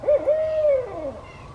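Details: Male barred owl by a pond, calling to his mate: one drawn-out hoot that holds steady, then slides downward into a trailing, fading tail, over a faint low hum.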